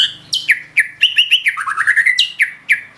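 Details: White-rumped shama singing loudly and continuously: sharp high notes dropping into whistles, then a fast rippling run of rising notes and more slurred whistles, repeated without break.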